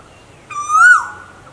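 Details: A single Asian koel call from a recording of a male and female pair: one strong whistled note sliding upward, then dropping and fading quickly.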